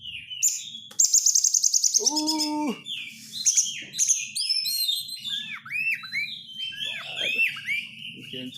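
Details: Oriental magpie-robin lure recording of dense 'crecetan' chattering, used to provoke caged birds into singing: rapid buzzy chirp bursts, a short harmonic nasal phrase, then many sharp downslurred whistles and varied chips in quick succession.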